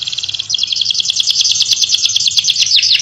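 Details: Energetic caged canary song carrying Orange-headed Thrush imitations: a short high trill flows into a dense, rapid stream of bright chips and buzzy notes, ending on a falling slur.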